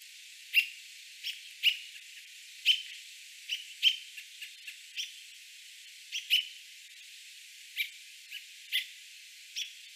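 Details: An American robin, one of a male and female pair, calls a warning to its fledglings on the ground with sharp, high, clipped peek notes at an uneven pace, roughly one or two each second, against faint background hiss.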